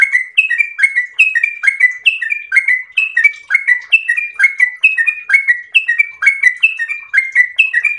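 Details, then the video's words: Yellow-vented bulbul singing a long, vigorous ropel song: rhythmic, mellow downslurred notes in pairs and triplets, repeated steadily about every half second. "ROPEL MERDU trucukan gacor ropel panjang istimewa"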